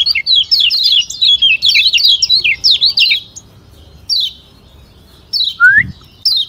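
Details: Lombok white-eye (kecial kuning) delivering a lively run of fast, high, zigzag chirps, then falling quiet apart from a few isolated notes and a lower rising whistle near the end.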